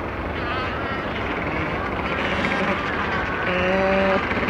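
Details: A macaroni penguin colony on Bird Island, South Georgia: a dense din of many birds calling, with one nearer harsh, braying individual call rising clear near the end over a low roar of distant sea.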